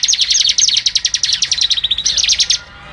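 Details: Bar-winged Prinia (ciblek) in the rapid, dense 'ngebren' machine-gun style: a fast string of sharp, high chip notes, roughly eight per second, ending in a brief buzzy burst.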